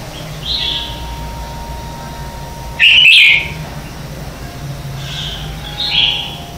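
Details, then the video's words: Red-whiskered bulbul contest-style morning song for training birds; soft whistled phrases bracket a sudden loud, rapid, chattering warble, with a thin steady tone in the background. "Luyện Chào Mào hót sáng hay nhất - To - Rõ - Vang | luyện giọng chào mào mới nhất 2019"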